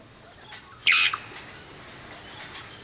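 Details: Captive-bred juvenile Congo African grey parrot (Psittacus erithacus erithacus) from the 2009–2010 breeding season, giving a single loud, harsh squawk lasting about a quarter second amid quiet background noise.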